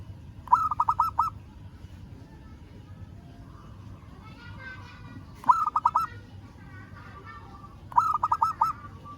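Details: Local zebra dove calling a rival: three bursts of four or five quick, mellow, bubbling coos, each burst under a second long, spaced several seconds apart over a low background rumble.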